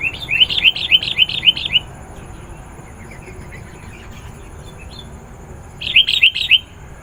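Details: Sooty-headed bulbul song played to call wild birds: a fast burst of repeated bright chirps, a pause with faint notes, then another short chirping burst.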